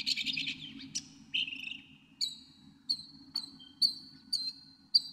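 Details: Northern mockingbird singing a buzzy, harsh opening phrase and a descending slur, then high piercing single notes spaced about half a second apart.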